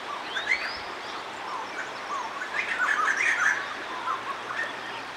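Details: Noisy group of white-throated laughingthrushes at Rishikesh giving squeaky, chirping chatter with short rising whistled slurs. The notes cluster loudest in the middle, over a constant hissing background.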